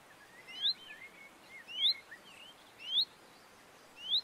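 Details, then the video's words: Common chaffinch in the Montes de León, Spain, March 2022: a thin, rising whistled note repeated about once a second, with faint twittering of other birds. "PINZÓN VULGAR | CHAFFINCH | Fringilla coelebs"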